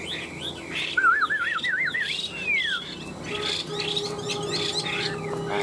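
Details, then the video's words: Caged Chinese hwamei, one of two tame birds kept three years in cages, in competitive fighting song: a loud, rapidly wavering whistled trill that slides into a long falling slur, then quieter notes amid background noise. "Họa mi hót đấu cánh đuôi đẹp - 2 em thuần 3 năm lồng"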